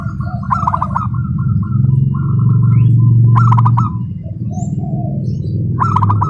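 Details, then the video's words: Local zebra dove, a contest prospect, singing fast, tightly packed song likened to a sewing machine: three bursts of rapid, clipped cooing notes, each followed by softer drawn-out coos, over a steady low droning hum. "Perkutut Lokal Prospek Lomba Gacoran Speed Rapat Seperti Mesin Jahit"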